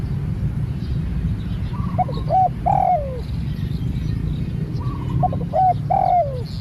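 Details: Spotted dove, a newly trained bird taken out for practice, giving two cooing phrases about three seconds apart, each a short rising note then lower drawn-out coos, over steady low rumbling background noise.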